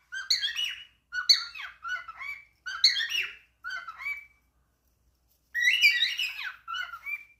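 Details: Talking cockatiel giving short chattery, speech-like phrases in quick succession, each a scratchy cluster of rising and falling syllables, a pause of about a second, then a longer garbled phrase and a final brief one, indoors.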